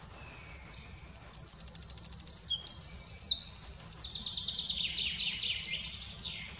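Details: In the Eifel, Germany, a Eurasian wren (Troglodytes troglodytes) sings: a loud, high, rapid song of ringing trills and clear notes, including a fast rattling trill, lasting about four seconds.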